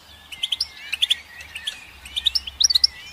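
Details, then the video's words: Sparse goldfinch song of sharp high chirps set over soft sliding whistles, notes coming in small bursts of two or three, with a faint low hum underneath. "Goldfinch Song"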